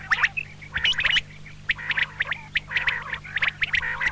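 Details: Common quail female sounds, called double calls: quick bursts of sharp, chirping notes in uneven bunches, some with brief wavering tones between, over a low constant hum.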